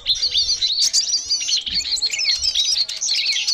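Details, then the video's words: Lure recording of noisy small songbirds meant to attract all small songbirds: a dense, restless chorus of high, overlapping twitters and chirps pouring out without pause, nothing else standing out. "Suara pikat burung ribut cocok untuk memikat semua burung kecil/burung kicau"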